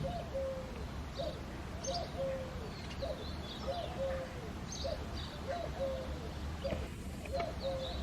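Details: Eurasian collared dove singing on an early foggy February morning: soft, low cooing repeated in short phrases over a steady rumble, with faint high chirps from other small birds.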